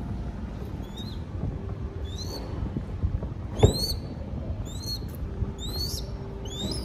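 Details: Baby crested goshawk in Cambodia begging while being fed: thin, upslurred whistled squeals with harmonics, given every second or so, plus a sharp click near the middle over low background rumble.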